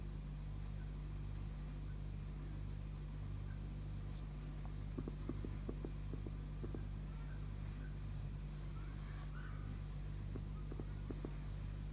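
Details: A steady low mechanical hum, like an engine or fan, runs throughout, with a few soft taps and knocks and no clear animal voice.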